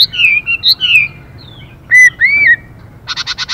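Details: Chinese hwamei pair, male singing while the female calls to stimulate him: a few sliding whistled phrases, two clear rising-falling whistles, then a short burst of rapid buzzy pulses.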